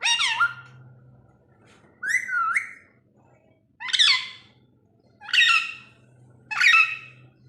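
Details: Pet rose-ringed parakeet giving five harsh, screechy squawks, one about every one and a half seconds, with a faint low hum between calls.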